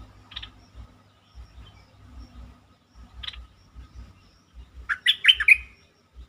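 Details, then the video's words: Bulbul lure song played to make birds lively: two isolated short chirps, then a rich, fast burst of warbled whistle notes near the end over soft low thudding. "เสียงนกดอกแตงEp.147 เปิดให้นกคึก เพลงดีสำนวนน่าฟัง Suara pikat merbah lekir"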